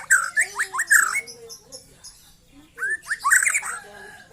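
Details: A young white-rumped shama, newly out of its spotted juvenile plumage, gives a short burst of downward-slurred whistles with harsh hissy overtones. A brief quiet gap follows, then a fresh run of rising whistled notes.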